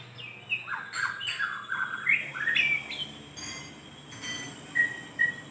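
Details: Energetic white-rumped shama song aimed at calling a female: sweeping whistled slurs that climb and dip, mixed with short bright notes, then two high clipped whistles near the end over faint background hum.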